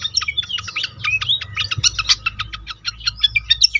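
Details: Pied fantail lure song: quick sequence of short sharp chirps and slurred squeaks, roughly three or four per second, over a soft low hum.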